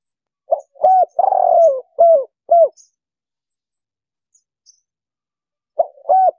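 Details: Spotted dove call, played as a lure to trap wild birds: a clean series of soft hollow coos, two short notes, a longer wavering coo and two clipped ones, then a pause before the phrase starts again.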